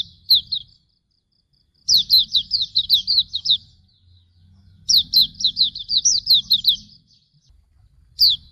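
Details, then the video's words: Hume's white-eye (pleci auriventer) song used as a master recording for training birds: three bursts of high, sharply down-slurred twittering notes, about seven or eight per burst, separated by short pauses, over a faint low hum. "Masteran Suara Burung Pleci Auriventer"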